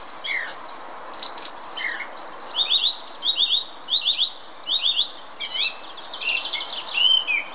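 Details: Song thrush singing in the Munich Botanical Garden, Germany: loud phrases of clear whistled notes each repeated three or four times, grouped in bursts, mixed with sharper high twittering figures and short pauses between.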